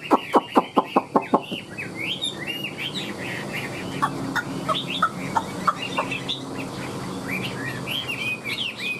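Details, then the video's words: Caged Chinese hwamei showing off with a fanned tail and wings: a burst of evenly spaced loud clucks, then a varied run of looping whistled phrases over scattered clicks. "Đuôi xòe chơi cánh hót tốt giọng hay"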